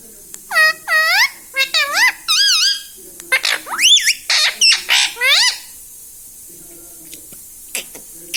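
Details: Indoor pet green ring-necked parrot repeating short talking syllables: a series of about a dozen clear harmonic notes, many arched or rising, spaced in quick groups over five seconds, then near silence with a few faint clicks.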